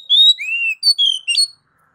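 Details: Oriental magpie-robin (kacer) singing ngeplong master song: a short phrase of long, pure whistles, one level and one arching downward, then quick, bright slurred notes.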